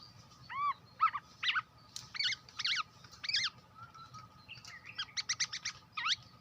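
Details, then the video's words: Hwamei, lure song: a varied run of clear whistled and slurred notes, some arched and falling, others quick rising sweeps and short repeated chips, over a low rumbling background hum. "Tiếng chim hoạ mi đất hót mồi chuẩn(suab noog kaim kauj quaj cuab tuaj zoo)"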